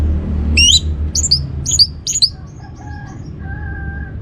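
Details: Orange-headed thrush provoking song to stimulate other birds: four loud, sharply slurred whistled notes roughly half a second apart, then soft faint chips and a steady low tonal hum.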